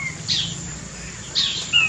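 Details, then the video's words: King quail in a large mixed aviary during heavy rain gives two high, hissing, breathy bursts about a second apart, likened to a snake's sound, then a thin, falling whistle, over a low background rumble. "Ini itu suara burung puyuh batu ya, kayak ular suaranya. Serem. Tuh."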